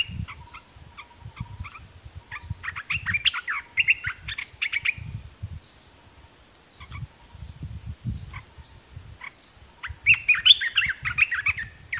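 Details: Caged decoy Olive-winged Bulbul challenging wild birds with several bouts of rapid, chattering, bubbly notes, the last burst loudest. Sharp clicks, low knocking and a faint continuous high tone are also heard.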